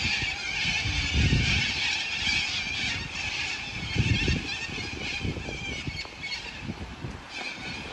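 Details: A huge flock of Sulphur-crested Cockatoos in Melbourne on 2 February 2022 gives a constant wall of harsh, overlapping screeches, with low rumbling bursts of wind or handling noise underneath.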